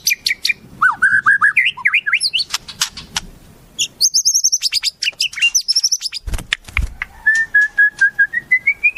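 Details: White-rumped shama tutor song with wild-bird phrases: slurred whistles climbing in steps, then rapid high chips and a sustained high tone, ending in a long run of evenly repeated whistled notes that slowly rise.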